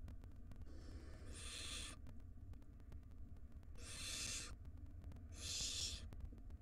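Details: ['Barn owl chicks, wild, in a camera-monitored nest box as the mother feeds them; three harsh, snoring hisses spaced about two seconds apart, the last loudest, with low droning hum beneath.']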